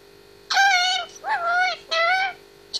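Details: Eighteen-month-old grey parrot kept indoors, whistling and singing: three sustained harmonic notes, the middle one lower and slightly rising, with a brief click at the end.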